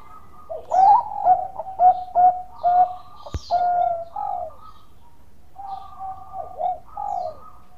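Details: Zebra dove of the Bangkok type, singing actively, used as a lure to provoke other doves to sing: mellow mid-pitched coos in quick clusters of short notes ending in longer drawn notes, two phrases separated by a short pause, with one sharp click.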